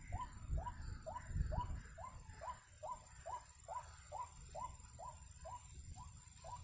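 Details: Bird-trapping recording of a white-breasted waterhen: about fourteen short, curved, croaking notes in a steady run, roughly two per second, over low rumbling noise with a few thumps near the start.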